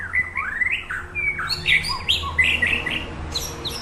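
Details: Training song of a white-rumped shama recorded at Samadua police sector, a rich, fast medley of rising and falling whistles and bright chirps, loud and continuous, with a faint low hum underneath.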